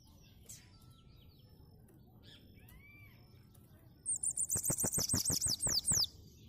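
Bananaquit song: after faint scattered chirps, a sudden loud burst of very high, thin, wavering notes racing together for about two seconds.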